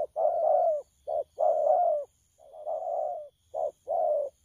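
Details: Spotted dove cooing, young wild-caught bird, 'thổ pha' style, 12 October 2019: throaty low coos, long notes with short ones between, one softer rising coo midway, faint background hiss.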